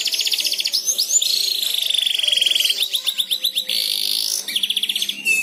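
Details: Canary learning to sing (ngeriwik), set off by another canary's song: rapid rattling trills alternate with a long sustained buzzy tone, then a string of quick chirps and another fast trill.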